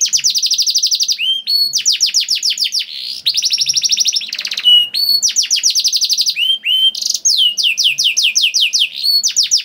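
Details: Canary singing a lively, long-trilling 'gacor' song used as a lure to set other canaries singing: rapid bursts of bright, high trills, fast descending note series and brief pure whistles follow one another almost without pause.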